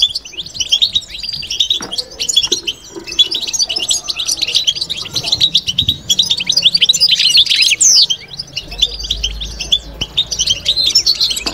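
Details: Caged European goldfinch in sustained babtaba twittering: a long, dense stream of rapid high chirps and buzzy trills that barely pause, with a faint low hum near the end.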